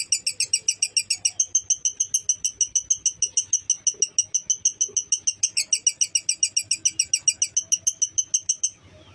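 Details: Long, clear-voiced lovebird ngekek intended to boost fighting spirit in listening lovebirds: dense, ringing, buzzy chatter repeated around three times per second for several seconds, ending suddenly.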